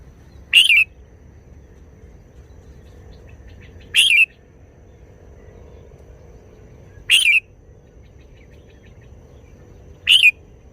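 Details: Red-whiskered bulbul repeating a brief wild-style song (phleng pa) four times, each a crisp, quick warbled phrase, spaced about three seconds apart over a low steady hum.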